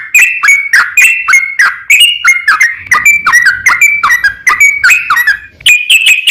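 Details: Rival-calling sooty-headed bulbul delivering long 'ropel panjang' song to provoke other bulbuls: quick, choppy whistled notes flicking up and down, delivered nonstop with only a brief dip near the end.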